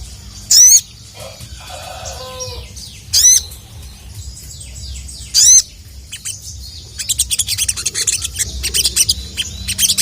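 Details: Ruby-throated bulbul calling to lure rival males: three loud, sharp 'cuit' notes with zigzag pitch, about every two and a half seconds, then a burst of rapid twittering chatter from other birds.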